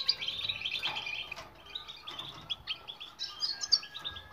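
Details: Training song of a European goldfinch for silent birds: softer, rambling twitter of quick high chips and short trills, with a brief click near the start.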